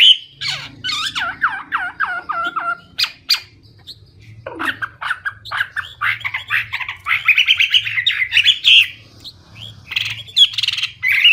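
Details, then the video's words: Loud, clear Hwamei song in full voice. A rapid series of descending whistled notes opens into a varied, jumbled stretch of chirps and slurred phrases, over a faint low hum. "Hwamei/wambi gacor full isian suara keras jernih"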